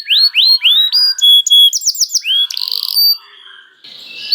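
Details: Canary song played to coax other canaries into singing: rising whistled slurs, steady pure tones, a short buzzy burst, then quiet fading notes.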